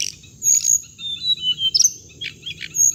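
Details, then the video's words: Hồng hạnh bird, recorded as playback to trap birds: scattered high chirps and thin downslurred whistles, with a few brief harsh bursts, over a continuous faint high tone. "tiếng chim hồng hạnh âm thanh để bẫy loa"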